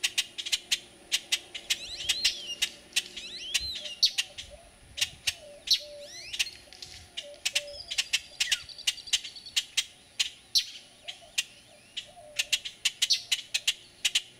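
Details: Juvenile black-crested titmouse at Resaca Los Fresnos, San Benito, Texas, on 6 June 2012, recorded with a Panasonic HDC-TM900 camcorder; high, thin twittering and slurred chip notes over a steady rapid clicking background.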